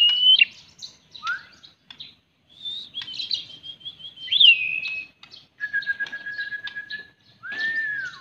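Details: White-rumped shama, a cherished kept bird, singing loud clear whistled phrases: quick slurred and trilled notes, then a long steady level whistle, ending on an arched rising-then-falling whistle, with short silent gaps between phrases.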